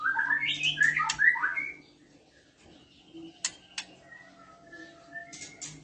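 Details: Oriental magpie-robin, female in breeding condition, with males responding: a rapid tumbling warble of bright whistled notes, then quiet, a pair of sharp ticks and faint thin whistles.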